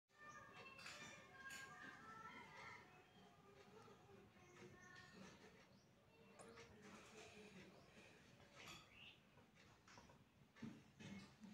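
Budgerigars chatter in a busy stream of warbles, squeaks and short harmonic notes.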